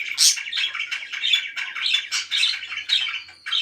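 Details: Parakeet chirping: a rapid, continuous stream of short, scratchy chirps and squawks, several per second, with one louder shrill burst at the start and a brief lull just before the end.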